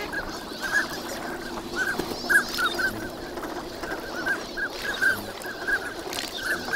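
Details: A winter flock of migrant ducks calls at Nagahama on Lake Inawashiro on a bright morning. Thin, high whistles sound in irregular bursts from many birds, with faint splashes and wind behind them.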